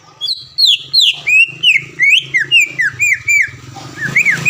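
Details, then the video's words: Greater green leafbird, a caged contest bird that often wins events around Palembang, Indonesia, in a masteran training recording. It sings loud, clear whistled notes, sliding up and down, about three a second, over a faint low hum. "MASTERAN CUCAK IJO GACOR SPEK JUARA DENGAN ISIAN ISTIMEWAH NEMBAK PEDAS DAN RAPAT"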